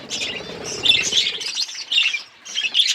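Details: Budgerigars, colour varieties, while chicks grow: busy high twittering chatter in short bursts with brief pauses, plus faint low fluttering at the start.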